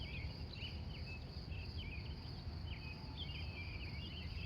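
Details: Dawn chorus of wild birds at Glendive, Montana, USA, captured live starting 3:45 a.m.; short sharp chirps and slurred notes repeat every half second or so against a low rumbling backdrop.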